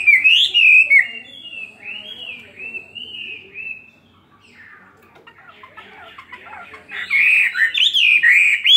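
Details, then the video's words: Chinese hwamei, a caged bird of two years, in fighting song: rich whistled phrases with rising and falling notes, a quieter warbling stretch and brief lull, then a loud burst of sweeping, bubbling notes returning. "Họa mi hót xòe hót đấu"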